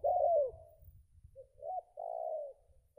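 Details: Spotted dove cooing in belah rotan style, a contest bird back after moulting with plumage still untidy: low, mellow coos with rising then falling phrases and a soft rumble beneath.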